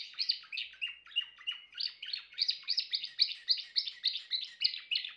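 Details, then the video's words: Timbrado canary singing a steady string of rolling, bell-like notes, about three or four per second, each dipping slightly in pitch, in a quiet setting. "chant canari timbrado"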